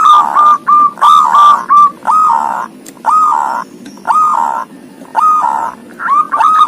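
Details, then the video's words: Ngoar-style song of a zebra dove with thirteen tail feathers: a quick run of soft hooked coos at first, then longer rounded notes spaced about one per second. "Suara Perkutut Ngoar"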